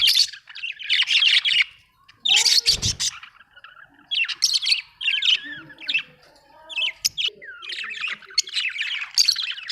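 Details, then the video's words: Budgerigar chirping, described as an Australian bird: dense bursts of scratchy, buzzy chatter and warbling notes in clusters about a second long, broken by short pauses, with a brief low thump near the third second. "Australian beautiful birds sound 😍 budgie chirping sound"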